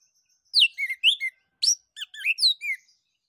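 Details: Orange-headed thrush (anis kembang) in continuous ngeplong song, played to make other birds sing. Loud, bright slurred whistles follow one another rapidly, with rising and falling notes and short chattering bits, all in about two and a half seconds.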